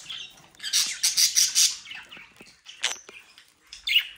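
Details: Playful young budgerigars in the Den Haag region of the Netherlands: a fast burst of high, scratchy twittering, then sparse chirps and a sharp whistled note.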